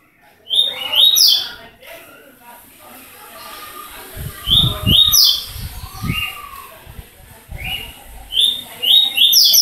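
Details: Rusty-collared seedeater, one year and six months old, singing: quick high chirped and slurred notes in short bursts, with low thumps and faint voices in the background.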